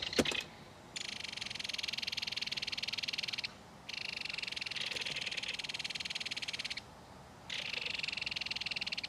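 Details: Belted kingfisher at its nest in a mud bank, with adult and young calling back and forth while the baby is fed fish. Three long, dry, buzzy rattles of rapid pulses, each two to three seconds, separated by brief pauses.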